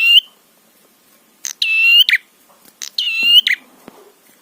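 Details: Prinia phrases used to provoke rival prinias: a short note, then two longer buzzy, harmonic-rich phrases about a second apart, each ending in a sharp flick, with a few faint clicks between them.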